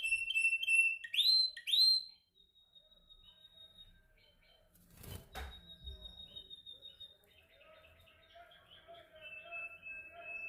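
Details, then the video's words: Training canary practising its song: sharp upslurred chirps at first, a sudden burst of wing flapping, then a softer thin rolling warble continuing in the background. "Your canary sings immediately when he listens to this canary singing"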